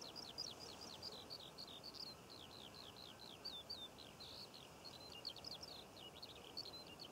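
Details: Eurasian skylark song recorded over Cornish poppy fields in June, an endless rapid chatter of high chirps and downward-slurred whistles, set against steady low background noise.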